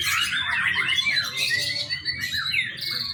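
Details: A young White-rumped shama in a short burst of song, recorded as a training lure: clear, swooping whistles and rising slurred notes, bright and high, over faint low noise.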